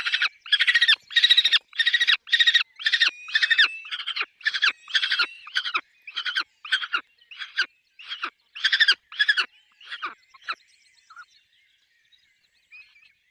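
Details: Peregrine falcon at a nest with chicks, giving a long, rapid run of harsh, rasping cack notes, nearly two per second, slowing and fading to faint whines at the end.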